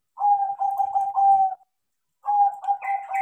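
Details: Tame crossbred zebra dove, trained to sing freely, gives a smooth, warbling coo phrase of linked pulses, pauses briefly, then begins another phrase with brighter upper tones.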